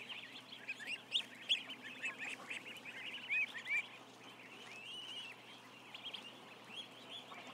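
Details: Roughly a thousand ducklings kept in a barn, giving many thin, high peeps, some sliding up and down, with a few louder cheeps rising above the continuous chatter.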